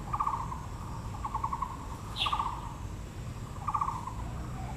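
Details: Rapid clicking rattles from a Taiwan blue magpie in Taipei's Yangmingshan National Park, Yangming Park, with flowering azaleas. Four bursts spaced about a second apart, one paired with a short high note, over a constant low rumble.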